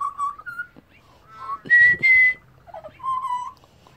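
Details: Pied butcherbird from Australia, a wild bird that sings while resting and can copy other species, delivers clear flute-like whistles, one held steady note repeated twice, then a lower warbling phrase, with soft rustling below.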